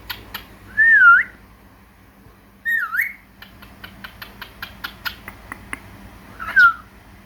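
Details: Pet cockatiel kept indoors with budgies, chattering and singing: three clear whistled notes that swoop up and down, separated by pauses, with soft repeated clicking taps between them and a low steady hum behind.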